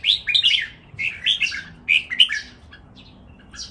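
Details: Several caged red-whiskered bulbuls competing in song, delivering quick, bubbling phrases of bright whistled and chirped notes in three short bursts, then fainter scattered calls.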